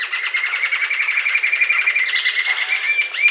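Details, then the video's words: Green-tailed jacamar in a fast, continuous run of high, pulsing notes, ending with a couple of upward-sweeping whistled notes. "Canto Da Ariramba De Cauda Verde, Green-tailed Jacamar"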